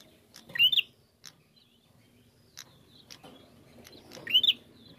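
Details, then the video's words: Bar-winged prinia song meant to provoke singing: two loud, squeaky, rising phrases nearly four seconds apart, separated by faint clicks and chips. "Pancingan Prenjak Gacor Narung Mantap"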